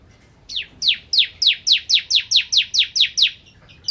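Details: Energetic "ciblek kristal" singing by a bar-winged prinia, used as a training song for oriental magpie-robins. About eleven bright, steeply falling whistles come in a quick run after half a second of quiet, then a new phrase begins at the end.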